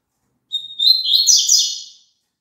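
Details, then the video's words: Double-collared seedeater song, a phrase meant for kept birds to sing along with: a steady high whistle, then a rapid warbled jumble of bright notes sweeping up and down, lasting about a second and a half, in clean silence. "COLOCA ESSE CANTO PARA SEU PAPACAPIM CANTAR JUNTO"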